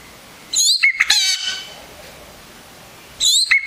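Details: Yellow-rumped cacique singing: two bursts of loud, varied notes, a high ringing whistle with buzzy harmonic-rich phrases and a sliding note near the end, separated by a quiet gap.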